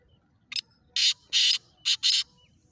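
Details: Black francolin, known locally as kala teeter, recorded in Sindh, Pakistan: a short harsh note followed by four loud, grating, rasping bursts, the last two closely paired, over a quiet background.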